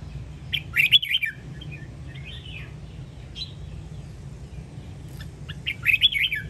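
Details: Red-whiskered bulbul from Sông Kon, Quảng Nam, used as a training recording for cage birds: loud bright warbled phrases near the start and end, with softer whistled notes between, over steady low background hum.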